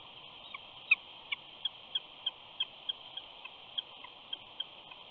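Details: At the Big Bear nest, a mother eagle keeps up soft whining at her mate, who will not move off their chick: thin, high peeps repeated steadily about three times a second against a faint, even hiss.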